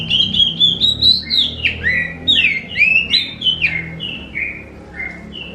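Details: Oriental magpie-robin in vigorous song, used as a lure to make other magpie-robins answer; loud varied whistled phrases, slurred and rising-falling notes run together in quick succession, a softer closing phrase, faint low background hum.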